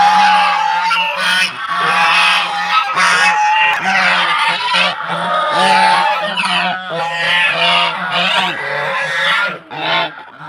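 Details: Flock of domestic geese brought from Netrokona to a Tangail home in Bangladesh, honking because strangers have come near. Egg-laying season. Brassy, overlapping honks in irregular bursts with brief quiet dips and faint human voices.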